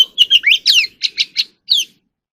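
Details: Oriental magpie-robin singing, a recording used for voice training: a rapid run of about eight varied chirps, slurred whistles and sweeping notes, then a pause and one last descending note.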